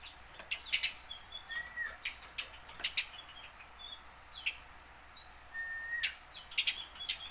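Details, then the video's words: Tame house sparrow, learning to sing and used as a lure for wild-caught sparrows; irregular loud chirps throughout, interspersed with short thin whistles and a busier chirping flurry toward the end. "burung gereja jinak belajar bunyi"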